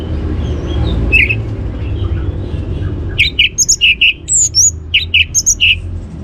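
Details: Orange-headed thrush teaser song to make other birds sing: after a quiet opening, crisp chirped notes repeat in quick pairs and triplets, with a couple of higher squeaks, over low background hum.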